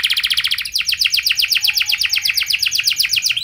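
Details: Canary with a fancy, long-shooting lure song: a fast buzzy trill shifting into a long run of rapid, evenly repeated rising whistled notes, about four per second.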